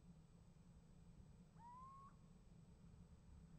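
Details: A single clear, lengthening whistle that rises and flicks upward at the close, given by a little owl answered by another at a nest box in January 2015; faint hum throughout.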